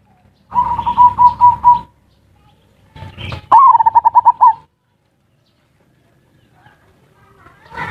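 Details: Zebra dove song of ngerot and kuwor style, played to trigger mating drive and get idle birds singing; a rolling series of throbbing coos, a pause with a rougher burst, then a sharp note leading into eight fast pulses.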